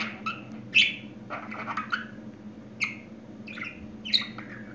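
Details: Newly talking budgerigar gives scattered short squeaks and twittering chirps, some rising sharply, separated by brief pauses, with a soft background hum throughout.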